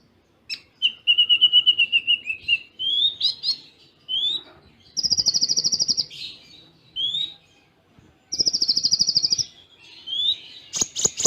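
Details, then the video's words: Konin (kolibri ninja) sunbird in a training recording of full song mixed with Cililin-style imitations and short pauses: thin whistled trill, sharp rising notes, and two bright rapid buzzy rattles, ending with sharp clicks. "Masteran Konin Full Tembaan Cililin Jeda Rapat"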